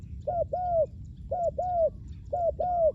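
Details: Spotted dove used to lure wild doves: three loud low coos, each a short note quickly followed by a longer, arched, mellow note, repeated roughly once per second.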